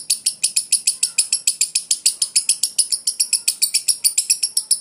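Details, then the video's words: Ngekek konslet chatter from a lovebird: clean, very high, metallic ticking notes repeated about three to four times a second in an even, relentless series, with a quiet background. "burung lovebird ngekek konslet"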